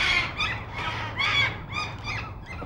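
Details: Squealing, harsh wails from black cockatoos at Nerrina, Victoria, 1999, several overlapping screechy calls in quick succession, some with a ringing, tonal edge, over a faint low hum.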